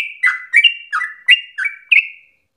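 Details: Sooty-headed bulbul singing eagerly and aggressively to provoke singing and serve as a tutor: six sharp chirps in just over two seconds, each sliding from a clear high tone into a lower buzzy tail.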